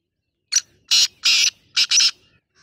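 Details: Black francolin giving a loud, harsh, grating call of five rasping bursts in a rhythmic pattern: one short note, two longer strident notes, then a quick closing pair.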